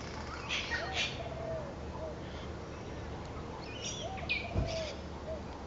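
Spangled drongo giving a scattered mix of sharp, metallic twangs and short, low slurred whistles at an uneven pace, over a steady low background rumble.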